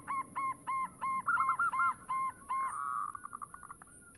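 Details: Local zebra dove, an active singer used to lure other doves, giving a regular series of rounded coos that speed up into a fading trill over a background hiss.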